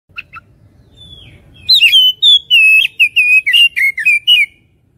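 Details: Oriental magpie-robin lure song meant to provoke fighting spirit: after two brief chirps and a pause, a rapid run of loud, clear whistled notes follows, sliding and warbling up and down in quick succession.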